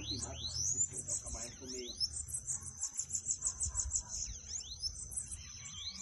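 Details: Bananaquit song used to fire up a kept bird: high, thin, buzzy chattering notes strung together continuously, broken by quick rising and falling whistled sweeps, over low background noise and a faint voice.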